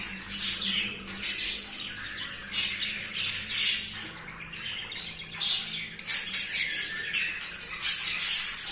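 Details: During his first mating with a female, a very excited male budgerigar warbles in quick buzzy phrases. Sharp squeaky peaks recur about every second amid continuous rasping chatter.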